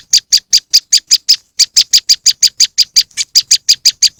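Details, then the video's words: Moss wren lure sound: quick, sharp, high chips, about six per second, with a short pause near one and a half seconds and one softer note. "moss wren bird lure sound"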